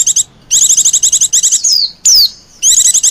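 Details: White-eye lure calls meant to draw in wild white-eyes: rapid bursts of sharp, high chirps in quick rattling series, broken by two thin whistles that slide downward. Short silent gaps separate the bursts.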